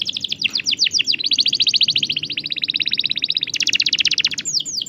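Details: Lively canary singing, used to coax canaries that have stopped singing. Rapid, tightly packed trilled notes roll on almost without pause, then shift to a higher, louder trill, closing with a few sweeping whistles.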